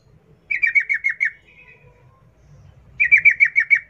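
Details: Sooty-headed bulbul, rapid ropel song in wild ngalas style for luring captive bulbuls into singing: two bursts of about six quick falling chirped notes, separated by a pause with a soft low murmur.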